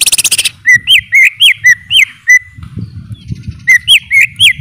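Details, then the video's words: Greater green leafbird opens with a rapid buzzy rattle, then gives bright whistled notes that rise and dip, several in quick succession, breaks off briefly, and resumes the looping whistles; low background rumble. "Suara Burung Cucak ijo"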